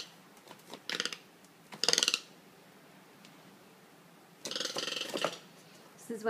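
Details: An angry pet toco toucan attacking shoes it hates gives harsh, rattling croaks in short bursts, then a longer grating run near the end, with a woman's voice faintly between. Toco toucan.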